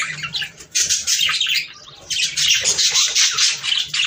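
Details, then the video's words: Budgerigars chattering for breeding stimulation: two loud bursts of rapid scratchy warbling separated by a quieter gap, over a faint low hum. "صوت طيور البادجي ــ تحفيز للتزاوج"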